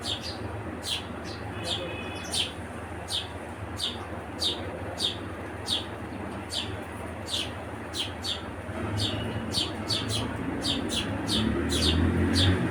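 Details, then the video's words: House sparrows chirping steadily, sharp high notes repeated about four times a second, becoming denser toward the end, while a low rumble rises in the background. "Sparrow Birds Gauraiya Chidiya"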